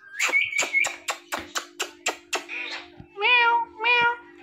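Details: Green Indian ringneck parakeet talking, repeating the word 'Mitthu'. A run of sharp, evenly spaced clicks leads into two drawn-out, nasal, harmonic-rich syllables, over a steady low hum indoors.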